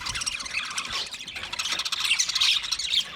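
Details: Softer budgie chatter: a blurred mass of high squeaks and scratchy notes, swelling slightly toward the end before fading.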